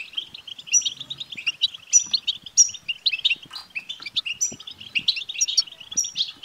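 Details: European goldfinch song for stimulating a male goldfinch: quick tinkling twitter with bright high notes recurring about every half second, liquid and unbroken, with faint low background sounds.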